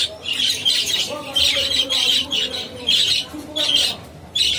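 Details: An adult pair of budgerigars gives bursts of scratchy, high-pitched chatter in quick repeated phrases.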